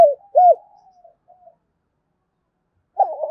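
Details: Lure spotted dove cooing to attract wild doves: a single rounded coo and faint trailing notes, quiet for over a second, then a new stuttering burst begins.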